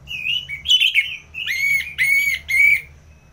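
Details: Orange-headed thrush singing ngeplong-style: a series of loud, full whistled notes, each swelling and slurring slightly, about four phrases in three seconds.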